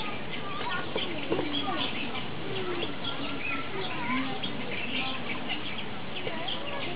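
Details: Fischer's lovebirds at Opole Zoo chatter constantly in a dense stream of shrill, overlapping squeaks and chirps, with a steady background murmur that may include people talking.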